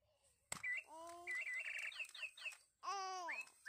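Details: Parrot singing with a mix of clear whistled notes, some rising and some falling, rapid chattering trills and harmonic speech-like sounds, after a sharp click near the start.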